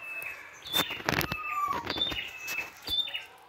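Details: Prinia in the wild delivering lively song: thin high chirps and a lower falling whistle, broken by several loud broadband clicks or rustles.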